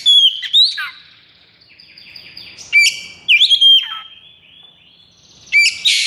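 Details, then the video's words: Caged Oriental magpie-robin in 'konslet' state of high breeding condition and aggression, singing: clear whistled slurs near the top of the range, sharp upswept notes, and long flat whistles, in bursts separated by quieter gaps. "KACER KONSLET!"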